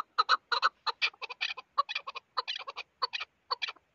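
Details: Chukar partridge uttering clustered, rasping chuck notes in quick doublets and triplets, loud and harsh, with short gaps between bursts.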